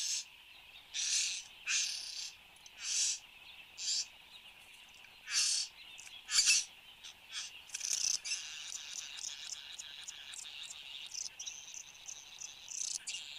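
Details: Satin bowerbird displaying at its bower, Australia, 8:02 am, 10 January 2015. The bird gives a long sequence of harsh, buzzy bursts that speeds into a dense, chattering, crackling stretch with mixed whirring and rasping notes.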